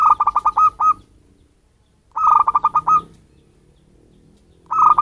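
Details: Local wild zebra dove calling as a bird lure: repeated phrases of quick, fluty cooing notes ending in a longer tone, three phrases spaced about two seconds apart with soft background rumble.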